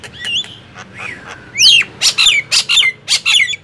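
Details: Nias hill myna and black-winged myna in a loud singing contest, or gemboran: scattered whistled notes give way to about seven loud, harsh squawks in the final two seconds, each ending in a falling whistle.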